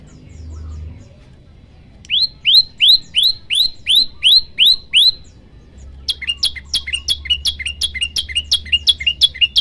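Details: A male Olive-backed Tailorbird in full, active song gives eight loud, ringing, high notes, about three per second. After a short pause comes a faster, sharper run of clipped notes over a faint low hum.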